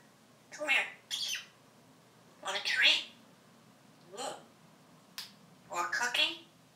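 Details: African grey parrot on a porch, very active, climbing around its perches and doing a lot of talking. Harsh, raspy squawking bursts come roughly every second or so, some doubled and some longer and more strained, over a faint steady background hum.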